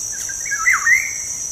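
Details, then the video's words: Black-naped oriole song used to coax pet birds into singing: a mellow, fluid whistle that rises, swoops low, then climbs again in about a second, against a continuous high cricket-like hum. "PANCINGAN SUARA BURUNG KEPODANG"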